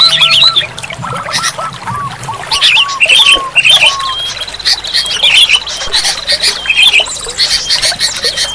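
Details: Sooty-headed bulbul singing, used to encourage a quiet bird to sing. Short bubbly phrases recur every second or so, with a series of lower clear whistled notes early on and a steady busy background.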